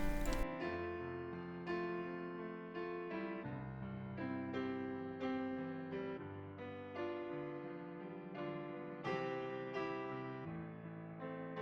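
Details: Soft piano music plays throughout, a gentle melody of sustained chords with no animal voices heard.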